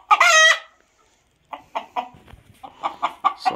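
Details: Crowing rooster: one loud, sustained, harmonic note of about half a second, then a quiet pause and a run of short, clucking notes repeated roughly every quarter second.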